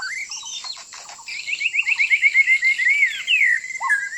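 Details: White-rumped shama decoy song for trapping birds: a swooping opening note, a few soft clipped notes, then a fast even series of bright rising whistles and a long falling slur, with a thin steady whine behind.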